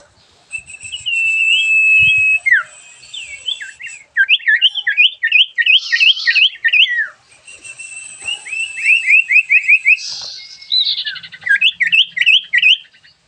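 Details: Sooty-headed bulbul (sirfu) in full lively song: a long steady whistle, then chains of quick looping chirps and slurred whistles in fast bursts, with harsh raspy notes between phrases.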